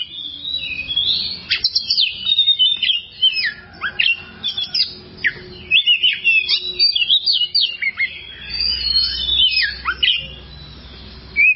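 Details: Oriental magpie-robin song in a long training recording for kept birds: a busy, continuous medley of sharp chirps, trills and slurred whistles over about eleven seconds, with few pauses.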